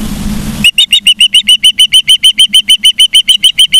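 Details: Osprey at a nest in Charlo, Montana, recorded on 15 September 2023 at 12:55 by a live nature cam. A brief low rumble gives way to a rapid, even series of short high whistled chirps, about three per second.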